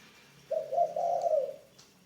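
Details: Spotted dove kept as a ground decoy and newly in training, giving a single low, mellow coo of about one second, broken into two short notes and then a longer drawn-out note, in a quiet room.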